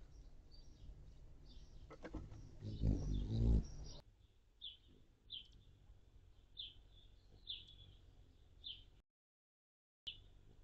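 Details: Anna's hummingbirds visiting feeders on June 10, 2022, a day with a high of 73F and low of 55F; short sharp high chips repeat about once per second after a loud low-pitched burst of noise, possibly a voice, at the start.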